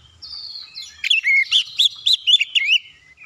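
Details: Oriental magpie-robin singing to spur other birds to sing, opening with a thin drawn-out whistle, then a burst of loud arched whistled notes, about six in quick succession, each curving up then down.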